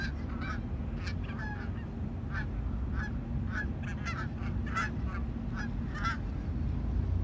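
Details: Canada geese approaching a landing give spaced, distinct honks roughly every half second, clearer and more separated than in a dense chorus, over a low steady rumble.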